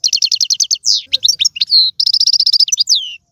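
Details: European goldfinch from Algeria in tiwawati, galoubi and serfati song. An opening series of eight evenly spaced clipped notes, a slurred whistle and assorted chirps, then another rapid even series closed by a falling whistle.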